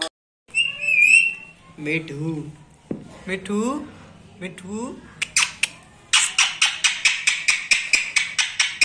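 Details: Pet rose-ringed parakeet (ringneck parrot) in a 'mittu mittu' talking competition: short whistled, talk-like phrases near the start, a man's voice in Hindi in the middle, then a fast train of sharp, high squawks repeated about twice a second.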